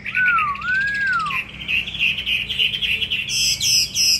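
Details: Tamed fighting Hwamei kept caged in Hanoi, Vietnam, sings a long slurred whistle that dips and rises, then a quick run of bright, higher chirping notes.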